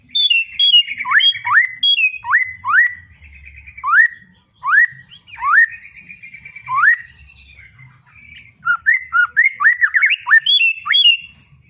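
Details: Murai batu, the white-rumped shama, in loud 'ngeplong' song: strongly upswept whistles alternating with short buzzy trills, broken by brief pauses, ending in a fast burst of varied looping notes.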